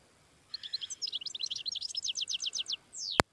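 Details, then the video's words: European goldfinch in the wild singing a quick run of high tinkling, chirping notes that grows denser and louder over two seconds, ending with a sharp click. "تغريد الحسون الخلوي"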